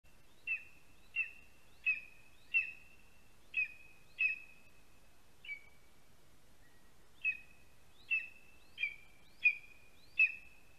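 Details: Lesser spotted eagle chick begging for food from its parent at a spruce-tree nest in Latvia, afternoon of 27 July 2020; about a dozen high, sharp whistled yelps, each with a short trailing tone, with a pause midway.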